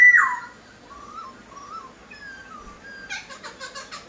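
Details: Laughingthrush singing: a loud opening whistle, then soft wavering warbled phrases and a closing series of short repeated notes.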